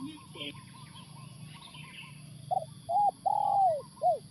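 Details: Live decoy spotted dove set down at a factory site to lure wild spotted doves, cooing in a phrase of a short note, a clipped note, a long drawn-out coo and a final short coo, after brief human speech and faint background chirps.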